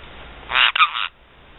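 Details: A black-headed caique gives one loud, harsh, grating two-part squawk with a brief break in the middle, over low background hiss.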